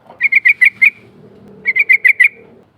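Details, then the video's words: Rolling ngerol song of a sooty-headed bulbul, an untrained bird, used to draw a response: two quick phrases of five chirping notes each, a gap between them. "Suara ngerol panggilan trucuk bahan"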